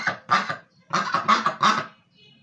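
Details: Pekin duck at home on pillows giving loud, raspy, nasal quacks in quick runs: about three, a brief pause, then another run of four or five.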